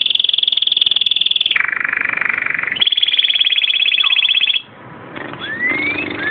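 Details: Canary singing long, even rolling trills, first high, then dropping lower, then high again, before breaking off into a few sliding whistles over background noise.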